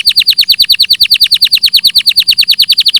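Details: Canary song, a very fast rapid trill of downward-sweeping notes, roughly three per second... actually about eight per second, loud and clear, evenly repeated high notes with no other sounds.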